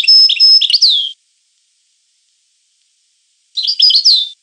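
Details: European goldfinch singing in two high, tinkling bursts about two seconds apart, each mixing rapid twittered notes, a thin level whistle and a downslurred liquid note; otherwise silent.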